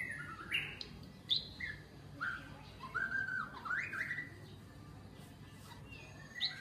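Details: Wild-caught white-rumped shama, caged for one week, tail 16 cm, during taming, gives varied short whistles and upward-sweeping notes in quick, irregular phrases. A low background drone runs throughout.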